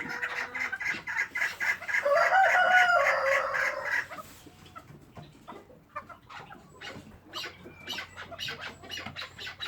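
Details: Pet chukar partridge calling: a loud harsh bout of repeated clucking notes over the first four seconds, then softer scattered clucks and clicks.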